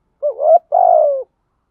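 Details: Spotted dove coos used as a decoy to stir up other doves: a rising two-part coo followed by a longer, throaty, slightly trembling coo that slides downward; no other sounds.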